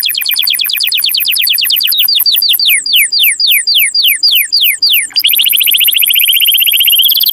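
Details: Strong canary song meant to stimulate mating: fast rolling trills give way to a series of slower, clear downward-sweeping whistles, about two per second, then a sudden dense high buzzy trill sustained to the end.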